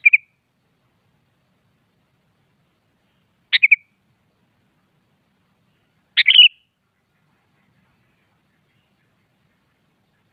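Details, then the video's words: Morning song of a sooty-headed bulbul daring a rival to answer: brief chirpy, warbled phrases of two to four quick notes, repeated every few seconds, with no other sounds in the background. "Suara Burung Kutilang Pagi Hari Mengajak Lawan Adu Bunyi"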